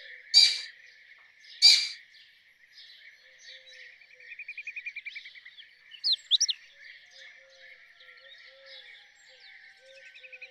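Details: Two loud harsh squawks from a rose-ringed parakeet open the recording, followed by softer chatter, a rapid trill and sharp chirps from other birds over a steady drone.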